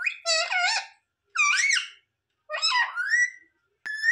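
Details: Parrot uttering three squeaky, speech-like phrases about a second apart, each with warbling harmonic pitch, the last trailing into a gliding whistle, followed by a sharp short call.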